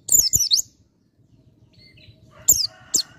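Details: Bar-winged prinia song: a rapid run of high, sharp rising and falling chirps, a pause, then two shorter high chirped phrases.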